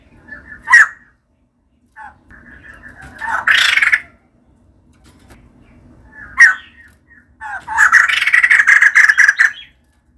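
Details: Female white-crested laughingthrush in lively song: two bouts, each a sharp, loud note and then a longer, rasping, chattering burst, with quiet gaps between.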